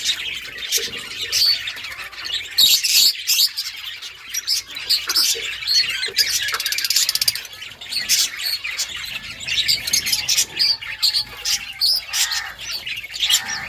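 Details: Budgerigar (Melopsittacus undulatus), flock chatter.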